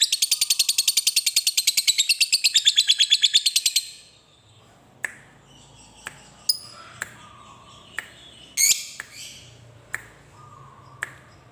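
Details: Lovebird giving a long chattering ngekek song meant to stimulate other lovebirds to sing: about four seconds of rapid, evenly pulsed high chatter, then it stops and only scattered sharp clicks and brief squeaks follow.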